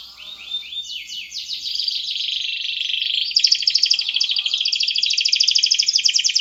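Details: Canary song building from quieter sliding notes into a loud, fast trill of tightly repeated chirps, several notes per second, bright and high-pitched throughout, background otherwise quiet.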